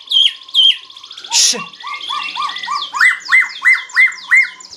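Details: Medan white-rumped shama singing loudly: two bright whistled notes, a short harsh burst, then a steady series of about ten rising, ringing whistled phrases repeated evenly, each with a high overtone.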